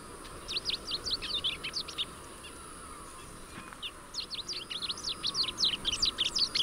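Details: Rusty-collared seedeater singing two phrases of quick, high, down-slurred and sweeping notes, about two seconds each, separated by a near-silent gap.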